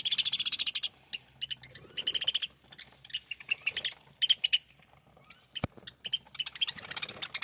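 Budgerigars chirp and warble in quick, scratchy bursts of high notes.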